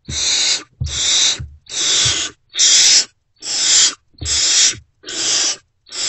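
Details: Hungry Great Horned Owl owlets in a nest box, still unfed with no parent seen, give harsh, hissing screeches about two-thirds of a second long, repeated steadily, reacting to an adult's return at 5:31–5:40 am, 3 March 2024.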